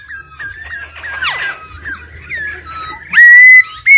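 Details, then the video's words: ['Laughingthrush, an old wild bird, with female trilling noted: repeated short whistled notes, a burst of descending squeaky slurs, then a loud sustained level whistle near the end over a low hum.'] "GIỌNG KHƯỚU già rừng, kích bổi căng lửa, khướu mái ro ro"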